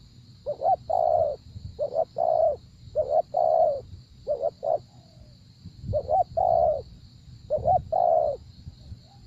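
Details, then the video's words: Spotted dove in a luring session cooing a rapid series of phrases, short paired notes leading into sustained soft coos, repeated steadily over about nine seconds against a low rumble and thin high drone. "Gác Cu Gáy"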